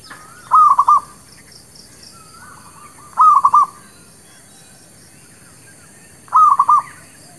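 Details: Local Zebra dove song used to lure birds for trapping and for new birds: three clear stuttering coo phrases of quick pulsed notes, about three seconds apart, with faint high twittering behind.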